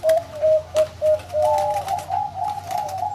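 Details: Big-voiced zebra dove from a bird farm cooing in a clear rhythmic series: four separate low coos, then a faster run of rolling, slightly rising notes, loud and close with little background noise.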